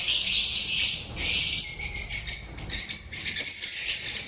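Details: Piercing high chirps from several lovebirds over a dense, buzzing chorus of squeaks. Loud individual notes come roughly every quarter to half second.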